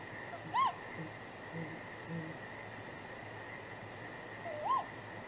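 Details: Great grey owl pair at a nest after dark, 23 April, in contact calling: two higher, arched wailing calls about four seconds apart, with little else beyond a constant background hum.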